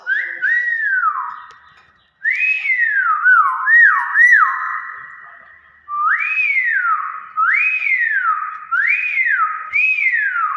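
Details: Hill myna whistling a run of clear notes, each swooping up then falling away, in bursts of three to four separated by short pauses; a person's exclamation comes just before.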